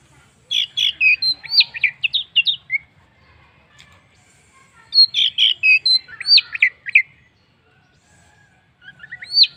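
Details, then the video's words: Orange-headed thrush singing as a lure for other birds: two energetic bursts of rapid, varied whistled and chattering notes with a clean background and a brief rising whistle at the end. "pancingan Anis merah paling ampuh bikin burung lain ikut bunyi"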